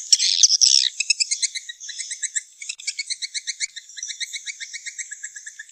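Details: Swiftlet calls played to draw swiftlets to nesting houses: rapid high chirps and clicks repeated about three times a second, layered in bands, with a louder buzzy burst at the start.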